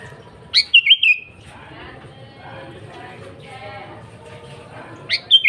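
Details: Sooty-headed bulbul singing energetically, a pure recording meant to draw in wild bulbuls. A quick bubbly phrase of three chirps opens the clip and another starts near the end. Soft, steady lower whistling continues between phrases.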